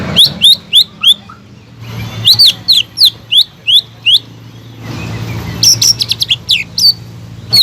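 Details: Caged greater green leafbird sings evenly spaced, sharp high downslurred notes, about three per second, ending with a rapid trill of short chips.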